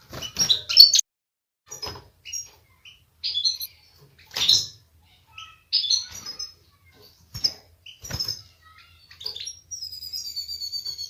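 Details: European goldfinch mating song, said to make a female take a mating posture: bright twittering bursts with tinkling notes, sounded in short separate phrases with pauses, ending in a steady, thin, buzzy trill.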